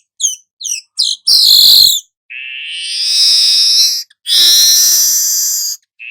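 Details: Golden-headed weaver, recorded as tutor material for cage birds, giving three short chirps and then drawn-out, harsh, buzzy phrases, one lower and smoother between two rasping ones.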